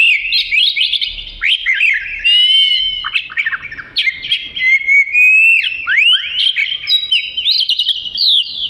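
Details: Melodious Oriental magpie-robin song used as tutoring material: a long, unbroken flow of quick twittering whistles, rising slurs and trills, varied and bright.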